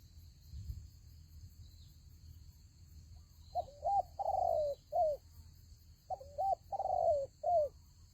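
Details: After a quiet stretch of low background noise, a spotted dove at a decoy fighting trap coos two phrases: a quick double note, a long slightly falling coo, then a short final note.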